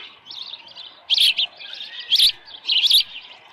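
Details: Osprey at its nest on the morning of July 24, 2018, with a headless fish: three short clusters of high, squeaky chirps separated by quiet gaps.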